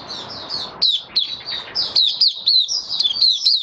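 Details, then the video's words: White-eye in a cage, dewormed and on health supplements, 18 May 2022, singing 'buka sing': quick series of sharp, slurred high notes, about four per second, over steady low background noise. "Mata Puteh Kitaro buka sing"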